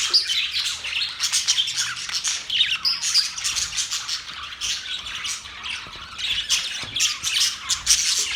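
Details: Budgerigars chirp happily in loud, continuous overlapping chatter of high warbled notes, squeaks and rasping squawks, holding an even intensity throughout.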